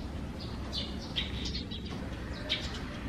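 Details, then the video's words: Sparrows nesting deep in a holed gutter under the roof eaves, recorded on a morning in June 2020: a few short, high chirps scattered over three seconds against a steady low background rumble. "[참새]지붕 처마 아래 참새 집"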